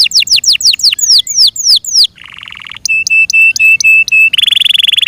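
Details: Yorkshire canary singing: quick falling whistles slowing into longer sweeps, a low rattling burst, evenly spaced bright piping notes, then a dense sustained trill.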